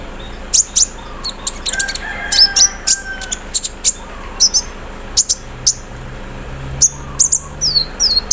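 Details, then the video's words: Konin, the olive-backed sunbird, caged and set out in the morning dew, singing 'cerrr': irregular high sharp chirps and short downslurred whistles over a faint low hum. "KONIN KELUAR ISIAN MESIN BORDIR, CERRR SAAT DI EMBUNKAN PAGI HARI"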